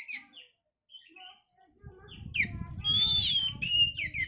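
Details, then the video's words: Oriental magpie-robin singing to stimulate breeding condition: scattered soft notes, then a loud rich phrase of sustained whistles and chirps over low rumbling background noise. "pancingan suara Kacer untuk mendongkrak birahi"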